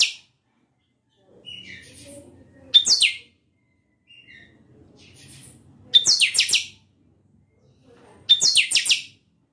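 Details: Song of a chanchão bred in captivity: three short, loud phrases about three seconds apart. Each opens with a sharp note, then runs fast, buzzy, steeply falling sweeps. Faint low murmurs fill the gaps.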